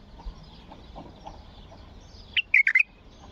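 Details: Bulbul giving a strong song to encourage other bulbuls to sing. After a quiet start, a single rapid phrase of several bright, fluty whistled notes.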